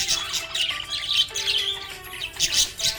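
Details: A happy budgie gives dense, buzzy high chatter and short squeaky chirps in quick bursts, overlaid on background music with a held vocal melody.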